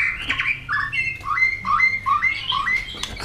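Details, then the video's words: Excited white-rumped shama flicking its tail, singing a string of clear whistled notes that step up and down in pitch, each phrase a short rising slur, repeated steadily with some faint background hum. "Chòe Lửa tạch đập đuôi kích lửa cực sung. kích chòe Lửa lên lửa sổ giọng.chòe Lửa hót nhiều giọng"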